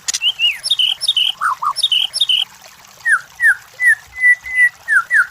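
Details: Lure song of a white-rumped shama meant to stir competition birds: bright descending whistle pairs and two low upslurred notes, then a slower string of loud downslurred whistles, a few held flat, spaced about half a second apart.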